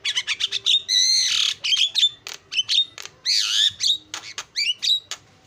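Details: Lure song from a starling: a rapid series of clicks, long harsh rasps and looping whistled slides, ending in short chirps.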